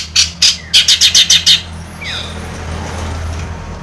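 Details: Long-tailed shrike from Madura, in a lure recording for captive birds: about seven loud harsh chattering bursts in quick succession, then one thin descending whistle, over steady low background hum.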